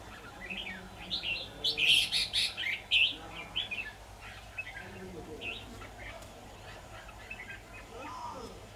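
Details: Red-whiskered bulbul decoy at a trapping session on 23 October 2019 delivering a fast run of loud, sweet, jumbled whistled notes early on, then softer scattered chirps, with faint distant voices beneath.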